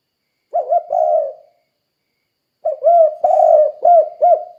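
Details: Spotted dove in full voice, used to lure other doves to call: one low looping coo phrase, a pause, then a rapid run of short rolling coos and a longer purr.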